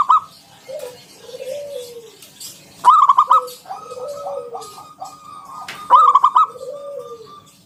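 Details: Zebra dove of local wild stock singing in ngalun style, used to get other perkutut singing: low curving coos, then two fast stuttered note-runs with a faint rippling coo between them.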